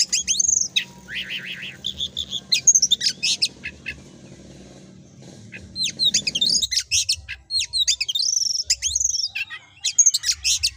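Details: Kacer, the oriental magpie-robin, singing gacor in ngobra style for training a bird group: bursts of high whistled sweeps and buzzy trills, a quiet pause mid-way, then more intense rapid chattering phrases.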